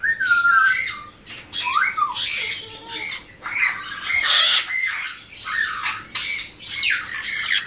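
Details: Loud grating screeches from a captive pair of hand-reared blue-winged macaws, a female and a male born in 2017. Piercing bursts come every second or so, some with a whistled, falling start.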